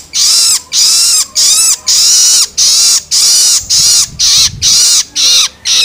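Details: Young long-tailed shrike giving begging calls meant to stimulate adult birds: a steady series of loud, harsh, hissing rasps, each under half a second, repeated roughly twice per second with brief pauses between.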